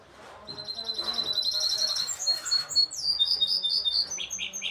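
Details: Goldfinch hybrid song, one of several such birds: high, bright phrases of rapid repeated notes, then clear ringing whistled notes with buzzy trills, with faint low background noise.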